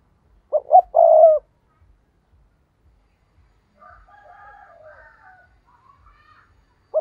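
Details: Spotted dove kept as a lure bird to provoke wild birds, giving a loud phrase of two short coos and a long throaty croon. A softer, higher warbling call follows, and the next phrase begins at the very end.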